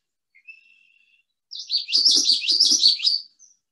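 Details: Male Common Yellowthroat with black mask sings a quick, rollicking 'wichity-wichity-wichity' song under two seconds long, after a thin faint whistle, to attract a female or warn rival males off his territory.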